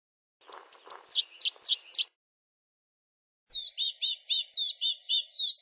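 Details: Blue-gray gnatcatcher song: a run of thin, high, scratchy chips over about a second and a half, then a pause and a quicker series of buzzy, wheezy slurred notes, all very high-pitched against a silent background.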